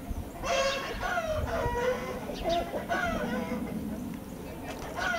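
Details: Red Blue Wyandotte chickens from a 2020 flock: a busy run of overlapping harmonic clucks and short squawks, several birds calling in quick irregular succession, with low background noise.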